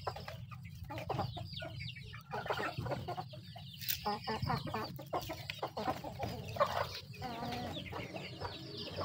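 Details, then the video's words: Feeding chickens cluck in bursts of short, throaty notes mixed with pecking clicks, over a continuous low drone, with a brief sharp click at about four seconds. "The sound of chickens eating"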